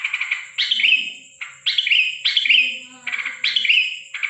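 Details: At night on 13 December 2023, a sooty-headed bulbul calls strangely: rasping, stuttered phrases that fall in pitch, about four bursts in four seconds, with a steady electronic whine throughout.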